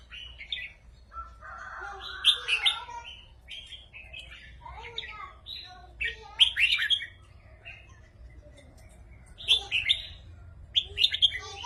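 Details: Red-whiskered bulbuls kept in cages trade rik song back and forth in Thai competition style; lively bursts of bright whistled and warbled notes come in clusters every few seconds over a faint low hum.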